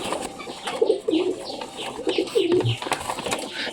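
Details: Pet pigeons kept in a homemade pigeon house in West Bengal, India, during courtship after a chick was removed; soft low cooing notes repeated in short bursts, with faint rustling and a voice in the background.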